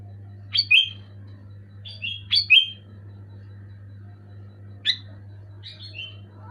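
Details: Loud and clear Sooty-headed bulbul song for stirring a silent pet bulbul to sing: short chirpy phrases of falling whistled notes in uneven groups, louder early then softer, against a constant low electrical hum and faint high tone.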